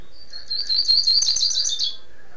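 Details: Rusty-collared seedeater from Niterói, Rio de Janeiro, singing in the tirano style: a dense, rapid burst of high, buzzy, chattering notes lasting under two seconds over a quiet background.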